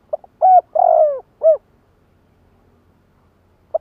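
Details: Spotted dove kept as a lure to call in wild doves, cooing one phrase of a brief pip, a hollow coo, a long purring falling coo and a short final coo, then silence until a new soft note begins.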